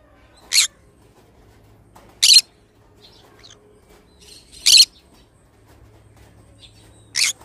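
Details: Four brief, rasping screeches from a pet pineapple conure (green-cheeked conure), spaced roughly every two to two and a half seconds against a quiet indoor background.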